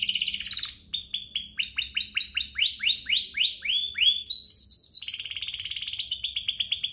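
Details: Canary singing to prompt other canaries to sing: rapid chips, then a long series of rising swept notes repeated several times a second, followed by a level whistle and quick trilled phrases.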